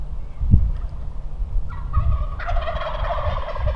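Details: Gobbling male wild turkey on the ground beside a large flock on Nebraska public land, second hunting day. A few thumps and a short note come first, then a harsh, fast, rattling gobble over deep background rumble.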